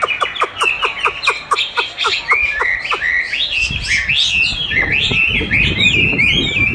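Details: Chinese hwamei answering playback of its own song during song training, keen to contest its own voice: a quick series of sharp staccato notes gives way to loud, swooping, varied whistles over some low rumbling noise.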